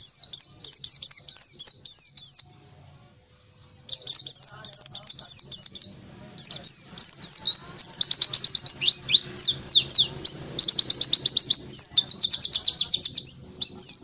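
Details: White-eye (Zosterops palpebrosus buxtoni) sings high, fast twittering phrases of rapid chirps and warbles, pouring on with barely a pause, over a faint low hum.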